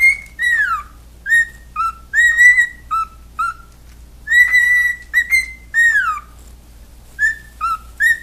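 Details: Pet cockatiels whistle a tune of clear notes, trying to sing a learned song, some notes sliding downward, others rising, in short repeated phrases.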